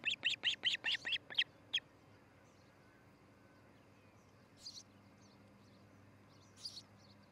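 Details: Ospreys at a nest near treetop Great Horned Owl homes in Charlo, Montana, filmed by nest camera on a July 2018 morning; eight loud, clipped whistled notes in fast succession, then quiet with faint distant chirps.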